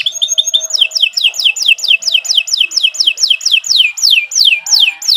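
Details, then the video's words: Canary singing for training other birds: a quick trill that shifts into a series of repeated downslurred whistled notes, each sliding from high to lower, delivered about three per second. "Kicau Burung Kenari 153 II LUAR BIASA GACOR PANJANG Cocok untuk Masteran"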